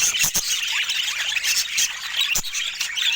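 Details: Budgerigars kept as pets, heard as a busy, continuous chatter of shrill squeals and chirps, with several sharp clicks breaking through.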